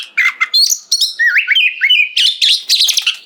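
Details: Oriental magpie-robin in loud full song, meant to make other birds answer and sing: fast varied whistled notes, slurred upward sweeps and high chattering phrases packed densely, with a clean quiet background.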